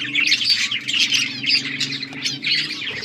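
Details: Budgerigars in a colony, playing with each other, recorded October 30, 2023; dense overlapping warbled chirps and chatter from several birds, with a steady low hum underneath.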